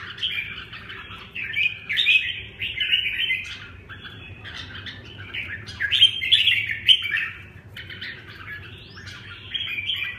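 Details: Ten seconds of 'tiep khach' singing by a red-whiskered bulbul: lively, jerky strings of whistled and chirped notes with brief gaps, louder peaks near the middle, faint electrical hum behind.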